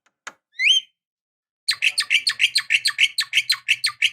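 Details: Female Javan myna calling to a male: a sharp click and a single rising whistle, then a rapid run of about fifteen harsh, chattering notes repeated several times per second.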